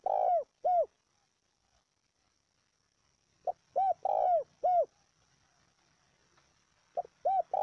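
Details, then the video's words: Spotted dove giving a luring call for training a decoy: phrases of a short note and three arched coos, the middle one drawn out, repeated roughly every three and a half seconds with quiet gaps. "tiếng chim cu gáy gọi kích mồi tập bổi cực chuẩn"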